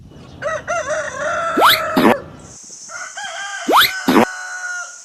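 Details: Roosters crowing near one another, their harsh, wavering crows overlapping, with sharp rising whistled sweeps twice and a steady high hiss in the background.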